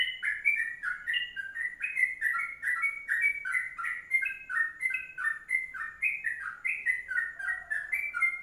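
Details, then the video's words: Sooty-headed bulbul in the long 'kongslet' song style, a rapid continuous 'ropelan' delivery: bubbly whistled notes rising and falling in quick succession, several per second for over eight seconds, with a clean, quiet background. "Masteran Trucuk Kongslet Panjang"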